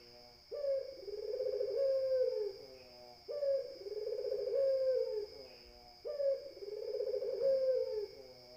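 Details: Barbary dove giving three drawn-out, rolling coos, each opening with an abrupt higher note, then a trilled level tone falling at the end, repeated about every three seconds over a thin constant whine.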